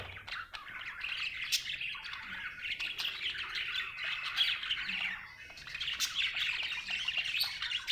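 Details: Happy budgerigar chirping: steady scratchy chatter of quick squawky notes and short whistles running without pause for several seconds, a few sharp clicks mixed in.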